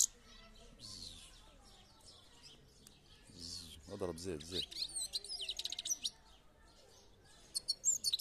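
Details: European goldfinch twittering in high, quick chirps and trills; a man speaks briefly in the middle, then the bird resumes with a lively burst of rapid tinkling notes.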